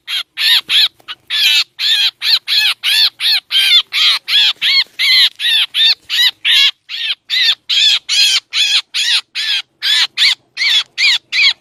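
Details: Sound used to lure black drongos for trapping in Laos and Isan: nearly thirty harsh, buzzy, chevron-shaped calls in an uneven rapid series over twelve seconds.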